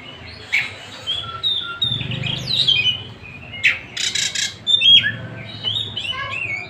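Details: Oriental magpie-robin of the Tasik type, singing as it likes: mixed whistles, harsh chattering bursts and a thin high note, over a faint low rumble.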